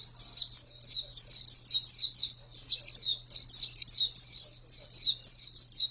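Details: Female pleci (white-eye) producing a steady, rapid series of sharp, high chirps. Each note drops in pitch, and the notes are evenly spaced without a break. A low hum is present in the background.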